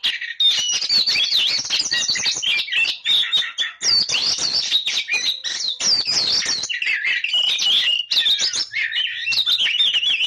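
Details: Oriental magpie-robin pouring out a continuous, loud, high song of quick chirps, trills and slurred whistles, with brief dips between bursts.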